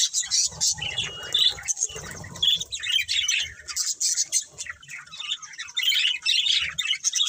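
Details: Budgies trade bright chirps, short whistles and scratchy warbled phrases in uneven bursts, with a soft low rumble in the background.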